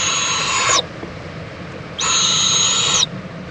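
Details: Owl, a mother checking on and preening her owlet, in Indiantown, Florida, late morning on 26 February 2014; two long, harsh hissing screeches, each lasting about a second, separated by a pause.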